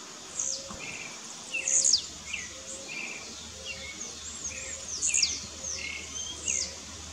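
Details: Blue-black grassquit in Brazilian scrub, rivals in a song dispute: brief high buzzy upswept notes, two loudest near the second and fifth seconds, amid many scattered chirps and faint low whistled notes from other birds.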